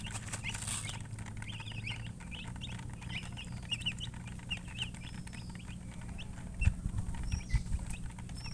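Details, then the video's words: Baby chicks giving scattered high peeps, sparser than a full chorus, a few thin drawn-out whistles among them, a low hum, and a couple of loud knocks near the end. "MURGI Baby "Chicks Chirping" Sound"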